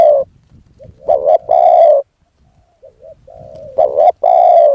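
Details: Spotted dove used as a lure for a wild dove: two loud husky phrases, a broken double note then a long coo, separated by a pause filled with faint soft cooing.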